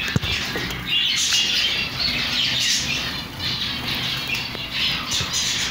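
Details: Chicks calling with dense, shrill, clustered peeps, nearly continuous with brief pauses, over constant background noise and a few soft knocks.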